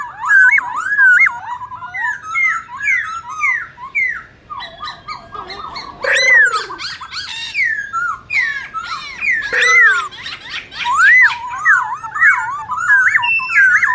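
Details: Competitive multi-voiced singing from a black-throated laughingthrush, meant to stimulate other birds: an energetic stream of warbled whistles, rattling chatter and sharp squeaks, nearly continuous.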